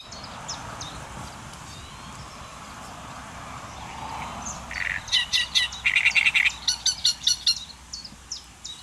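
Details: Great reed warbler singing in the Netherlands on 30 May 2014: a loud burst of harsh, chattering notes in quick repeated phrases after a quiet start, with faint bird calls in the background.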